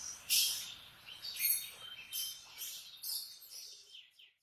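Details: Short, somewhat quieter canary song heard in the morning: a few bright buzzy trilled bursts spaced about a second apart, fading at the end.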